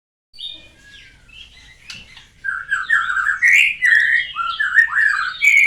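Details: White-rumped shama learning new sounds after finishing its moult: faint, thin notes at first, then from mid-clip loud, varied whistled phrases sliding up and down, with rapid changing notes running one after another.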